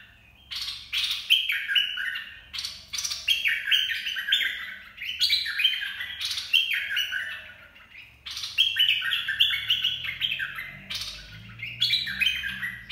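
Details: Bulbul song of the 'dok taeng' style, used for training young birds and luring birds: bright, bubbling whistled phrases of stepped notes, repeated in bursts about every two seconds, with a low hum beneath.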